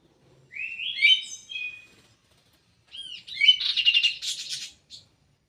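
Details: Caged kidangan kaso kaso bird in an aviary: a rising whistled phrase of slurred notes, a pause, then a fast chattering twittering burst, ending with a short chip.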